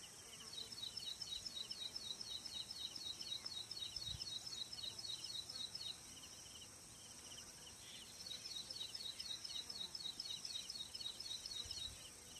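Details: Ashy prinia in singing mood at Manas National Park: quiet, rapid, high-pitched notes, about four each second, in two long runs separated by a pause, against soft steady background hiss.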